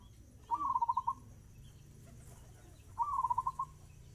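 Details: Two phrases of fast-tempo zebra dove song, about two and a half seconds apart, each a brief rising whistle followed by six or seven quick, evenly beaten coo notes.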